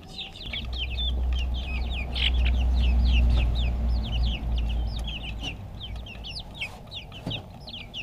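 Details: Backyard chicks eating food, filmed on a GoPro: a dense flock chorus of high, sharp peeps and short downslurred cheeps, several per second, over a steady low rumble of background noise.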